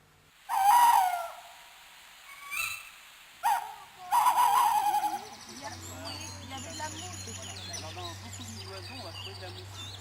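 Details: Tawny owl hunting at nightfall in the Vallée du Goëlo, Ploufragan, France, hooting: a long wavering hoo, a brief pause, then a quavering drawn-out note. Voices and a low steady hum follow.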